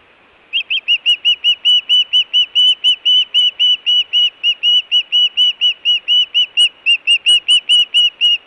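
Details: Osprey food or alert calling at the Hellgate nest, Montana, June 2017: a long unbroken train of loud, whistled, arched chirps, about two per second, for eight seconds.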